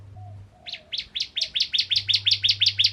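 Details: Energetic bar-winged prinia of the crystal type, singing to provoke other prinias: after a quiet start, a steadily repeated series of about twelve sharp, high, slightly downslurred chirps; low hum and faint soft note.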